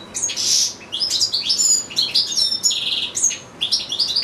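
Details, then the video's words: Captive European goldfinch singing for minutes on end beside goldfinch-canary hybrids; clean high twittering with slurred whistles, rattling buzzes and rapid chirp runs, almost no background sound. "ΚΕΛΑΗΔΉΜΑΤΑ ΑΠΌ καρδερίνες"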